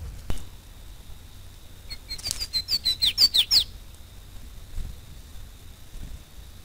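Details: Flavescent warbler, probably a pair foraging for insects and small arthropods on the banks of the Jiboia stream at a Brazilian farm, caught on trail camera: a quick accelerating burst of about eight bright, sweet notes over a thin, steady high whine.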